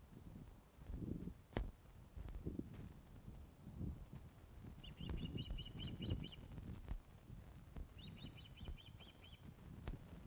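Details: Osprey at Loch of the Lowes, filmed by nest webcam on 21 August 2012 at 16:35 during a fish delivery; two bursts of rapid, high, whistled chirps repeated in quick series over steady low rumbling background noise.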